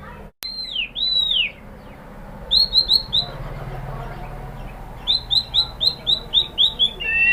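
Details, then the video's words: White-rumped shama lure song to make shamas answer: a pair of high arched whistles, then series of quick repeated chirps in two bursts over a steady background hiss. "pancingan MURAI BATU BIKIN EMOSI NYAUT GACOR BONGKAR MATERI ¦ PANCINGAN MURAI ¦ SHAMA BIRD"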